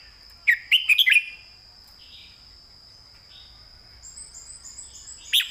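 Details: Red-whiskered bulbul giving a quick burst of clear whistled chirps early on, then soft phrases and a last sharp note, with a steady high electronic-like tone throughout and a faint insect trill near the end.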